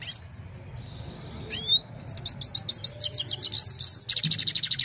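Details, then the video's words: Himalayan goldfinch evening song on a phone recording: a few thin upslurred whistles, then a rapid twittering run and a closing buzzy trill, with soft low background hum. "Gold finch simple singing this is really amazing bird song"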